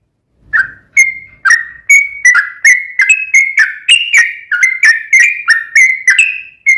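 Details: Sooty-headed bulbul song: after a moment of quiet, a steady chain of bubbly whistled notes wavering in pitch and climbing slightly toward the end. Meant to draw a reply from another bulbul.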